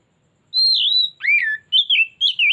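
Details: Oriental magpie-robin (kacer) in a lure recording meant to draw out its full repertoire: a rich whistled phrase opens with a long, slightly wavering high note, then a looping slurred note and three quick twisting whistles, on a clean, quiet background.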